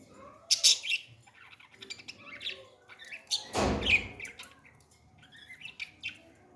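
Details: Baby parrot being fed, giving sharp high chirps and squeaky calls in short irregular bursts, with a loud rustling burst in the middle of the feeding.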